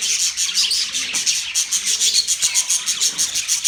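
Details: Budgerigars from November 19, 2023 giving quick high chirps in a pulsing series, several per second, mixed with grating, rasping chatter.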